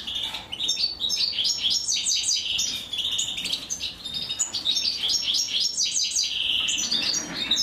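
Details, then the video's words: European goldfinch nestlings begging during feeding by the female, a steady stream of shrill, rapid, stacked chirps that rise and fall without a break. "أنثى الحسون وهي تطعم فراخها"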